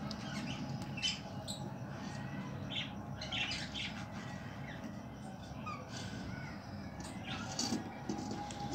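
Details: A semi-adult female full crested Frill back budgerigar chatters with short, scratchy chirps and squawks over a steady low background hum.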